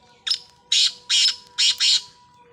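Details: Black partridge call, a short opening note followed by four rasping, scratchy bursts given at roughly half-second spacing, a faint steady hum in the background.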